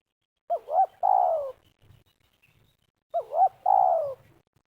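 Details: Dove luring for trapping in Liwa, West Lampung, Indonesia. A spotted dove gives two phrases about 2.5 seconds apart, each a double warble then a sustained descending coo. Faint low rustling sounds between the calls.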